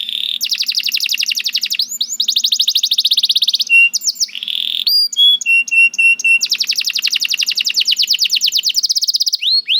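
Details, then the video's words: Canary singing, said to start right after hearing another canary: long rapid trills of tiny sharp notes, short whistled tones and clipped chirps, repeated several times, with a faint low hum beneath. "The Lazy Canary Sounds Immediately After Hearing the Sound of the Canary This One || Voice of Canary"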